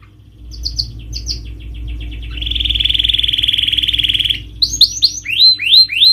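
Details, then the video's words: Canary song to rouse a reluctant bird: a few soft paired chirps, a long buzzy trill, then loud rising upswept whistles repeated about twice a second, over a low background hum. "Pancingan Kenari Naikin Emosi dan atasi Burung males bunyi,Stres,& Mental Down"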